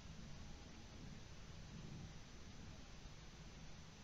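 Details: Steady, dense rumbling noise like heavy rain or a storm, with no animal voice audible throughout.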